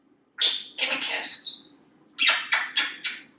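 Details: Male African Grey Parrot, a talkative house pet in Texas, perched on a kitchen faucet. Gives a run of high raspy squawks and a drawn-out whistled note, then four quick chirps, with a low hum in the background.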